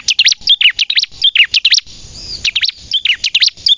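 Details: Short burst of Bar-winged prinia 'gacor nembak' song, intended to attract birds and train captive ones to sing; sharp, high, rapidly repeated chip notes, a brief gap, then the rapid chirping resumes.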